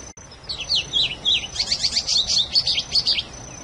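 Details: A wild Plumbeous Seedeater (patativa) sings a fast run of sweet, slurred, rising and falling whistles that quicken into rapid twittering phrases, over a thin steady high whine.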